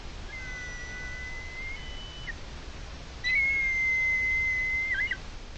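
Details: Red kites, recorded 4 January 2023, give long, high, steady whistles, a fainter one first and then a louder one ending in a quick wavering trill, over a soft background hiss.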